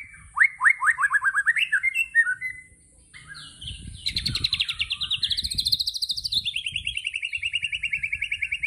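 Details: White-rumped shama (murai batu) giving 'tembakan' song: a quick series of downslurred whistles, a pause, then a long fast trill rising and falling in pitch, repeated many times a second.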